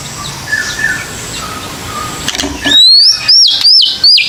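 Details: White-rumped shama lure song meant to make young birds sing: faint, distant whistles at first, then a few loud, sharp, rising high whistles repeated in quick succession at the end.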